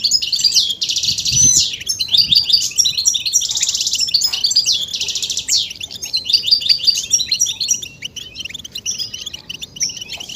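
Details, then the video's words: European goldfinch song played to stimulate males into singing, given as mating and readiness calls: dense, fast twittering of high, buzzy and tinkling notes, nearly continuous with brief pauses, fading toward the end. "بتبتة فتاكة وفعالة في تحفيز الحسون على التغريد والهيجان والخروج من الستريس"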